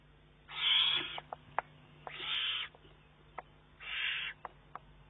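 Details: Eurasian eagle-owl chick pestering its mother for food, 19 June 2011; three raspy, breathy shrieks of about half a second each, spaced a second or more apart, with scattered short clicks.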